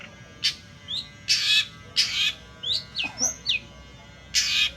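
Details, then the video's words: Long-tailed shrike, played as a lure: alternating harsh noisy rasps and high slurred whistles, several short bursts each under half a second, loud and close. "pancingan suara burung pentet"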